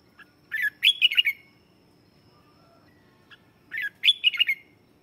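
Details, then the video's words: Decoy red-whiskered bulbul singing to attract wild birds, two brisk warbling phrases of rapid chirpy slurred notes about three seconds apart, with a faint steady whine and quiet background between them. "Tiếng chào mào mồi hót gọi bổi má trắng, kích bổi sổ bọng hót căng lửa"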